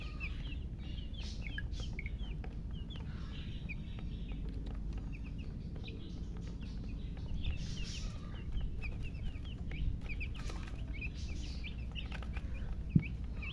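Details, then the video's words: Newly hatched domestic chicks peeping loudly: many short, high, downward-slurred chirps repeat rapidly and overlap throughout, over a steady low rumble of background noise. "Tot Murgi chicks chirping sounds Just Born Baby Gallina FRACAS Chicks Piar Loudly Sound"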